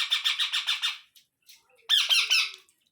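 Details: Rose-ringed parakeet chicks give harsh, rapid squawks, about six a second, then a louder burst of raspy, wavering cries, while an adult parakeet feeds them rice mouth to mouth.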